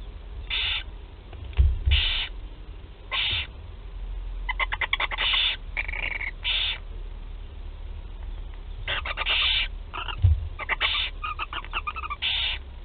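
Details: Barn owl chicks at the first feeding, 8 July 2020, in Théding, France: about a dozen harsh hissing screeches over thirteen seconds, some broken into quick rattling stutters, with low rumbling thuds underneath.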